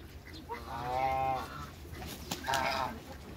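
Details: African and Toulouse geese and their new hybrid in a backyard flock: a long, nasal, harmonic honk followed by a shorter second honk, with a sharp knock between them.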